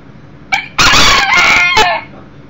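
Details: One-year-old Millefleur d'Uccle beta rooster brought indoors for a visit, 7/6/13, broody hen and chicks nearby: a brief note, then a loud, harsh crow of just over a second that drops in pitch at its close.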